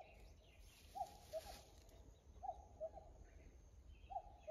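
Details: Off-key common cuckoo, a bird heard singing out of tune last year and back again this year. Three clear two-note calls, each falling from a higher to a lower hoot, roughly every 1.6 seconds, over quiet rural background.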